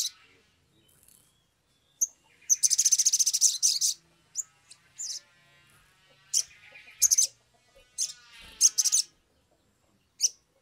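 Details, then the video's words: Excited, persistent Sumatran leafbird song used to stimulate other birds into singing: an opening dense high rattling trill, then scattered sharp chips and several shorter buzzy bursts over ten seconds. "pancingan sogok ontong atau SOGON biar cepat bunyi"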